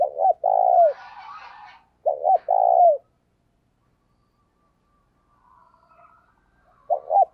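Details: Eager cooing by a decoy spotted dove to spur another bird to coo. Two phrases of paired short notes and a long falling coo, soft twittering in the background, a pause, then the start of another phrase.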